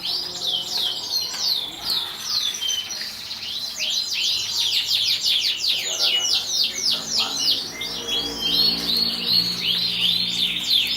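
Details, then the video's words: Competition-winning Atlantic canary from 2014 in full song: a long, continuous run of fast, high, downward-sweeping trilled notes repeated about three times per second, rolling on with scarcely a pause. "kicau burung kenari juara 2014"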